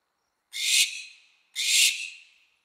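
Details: Barn owl; mating screech; courtship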